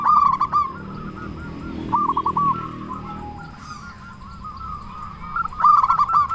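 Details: Local zebra dove from Indonesia, singing as a lure to draw replies. Opens with a loud, rapid burst of coos, continues with softer, wavering cooing runs, and closes with another loud burst.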